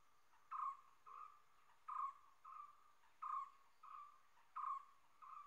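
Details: Common hawk-cuckoo calling in a steady series of whistled notes, strong and slightly weaker phrases alternating roughly every half second to second, eight notes in total over faint background hiss.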